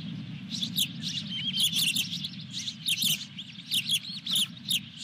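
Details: Osprey calling at the nest with a fish at Dunrovin Ranch, 23 June 2021: near-continuous high chirping and squealing notes, often slurred up or down, pulsing several times per second over a low droning hum.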